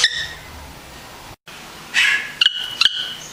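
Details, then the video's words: Yellow-rumped cacique singing: an opening clear whistled note with ringing overtones, a short silent gap, then a buzzy rasping burst followed by two sharp, abrupt clicking notes about half a second apart. "Xexéu cantando"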